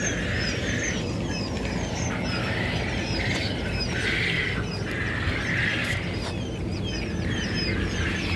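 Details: Quail chicks recorded on 15 February 2021, many peeping together: thin, high, downward-slurred cheeps overlapping in a constant chorus over a loud steady hiss and rumble.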